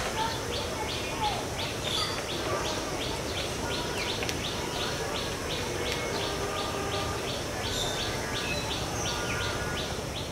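A steady run of short, knocking notes, about two per second, sounds like a coppersmith barbet, over heavy background noise and other faint birds.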